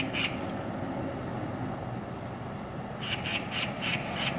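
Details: Oriental magpies, six of them, mobbing another bird on a street: one harsh rasping squawk, a pause, then a quick run of five grating chatter notes, over a constant low traffic rumble.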